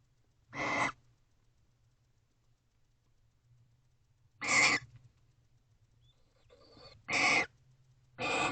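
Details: Two barn owls together in a nest box at 3:19 am on 29 November 2023, kissing: four harsh, hissing screeches of under half a second each, spaced irregularly over eight seconds, over a steady low electrical hum.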